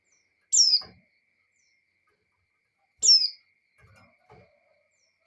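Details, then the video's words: Breeding female white-eye calling to a male, meant to provoke him: a thin high downslurred whistle repeated roughly every two and a half seconds, with soft faint taps in between. "Suara Pleci Betina Birahi Memanggil Jantan"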